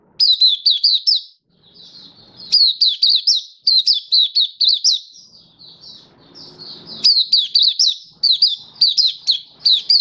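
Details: Song display from a caged oriental white-eye (mata puteh), 24 February 2023: a near-continuous stream of high, rapid, sweet twittering phrases with brief gaps, and a faint low rumble in the background midway.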